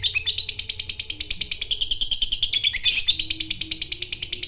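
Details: Fighter lovebird giving its long 'ngekek panjang' trill, meant to provoke a rival; a fast, harsh, high chatter of evenly repeated notes, about three per second, running throughout with a brief louder burst near the end.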